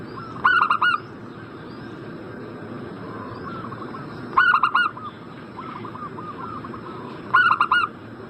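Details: Zebra dove lure: three loud phrases of four fast, ringing coos, spaced about three seconds apart, with quieter background doves cooing in between and steady hiss.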